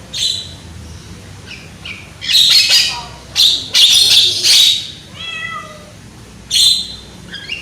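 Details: Young, loud-voiced Javan myna on a lure track to set other mynas singing: rough, noisy screeches in dense bursts, then a run of descending whistled notes and a final harsh squawk.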